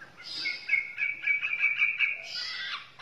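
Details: White-rumped shama from Borneo giving a high, rapid warbling phrase of blurred notes with a sharp buzzy burst near the end.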